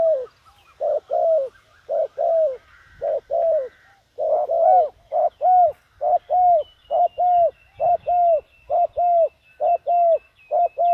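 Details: Decoy spotted dove calling to lure wild doves: low, hollow coos in quick pairs and short runs, each note dropping slightly at the end, repeated steadily about once a second with brief pauses. A faint high twittering runs behind the cooing.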